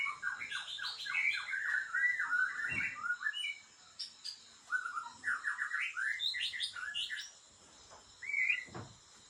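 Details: White-rumped shama song from an Aceh-type breeding bird of original Lamteuba stock: quiet, varied rising and falling whistled phrases, with quick runs of notes broken by short pauses and a sharp upward note near the end.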